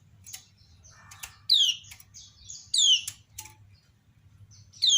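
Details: Captive female kecial kuning, a Lombok white-eye, calling with other birds replying: clicks and a soft rasp, then loud falling whistled notes, twittering high overtones, and a faint constant hum beneath.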